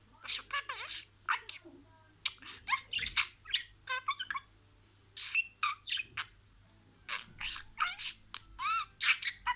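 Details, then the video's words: Budgerigar imitating words in a row: quick chirps, rising whistled notes and scratchy syllables delivered in lively bursts with brief pauses, a low hum underneath. "SIRALI KELİMELER, MUHABBETKUŞU SESİ,MUHABBETKUŞU KONUŞMA SESİ DİNLE"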